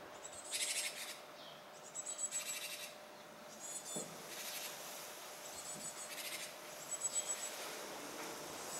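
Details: Japanese tit near fledging time, seemingly agitated, giving harsh, buzzy, high-pitched bursts, each under a second, repeated irregularly about every one to two seconds over a faint steady hum.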